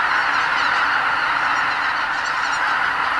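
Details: Spring migrant greater white-fronted geese departing their night roost before dawn at a Ramsar-listed lake in Hokkaido; a thick, even chorus of many honking calls.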